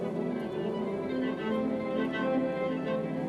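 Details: Steady orchestral string music with sustained violin and cello tones throughout, and no animal voice anywhere.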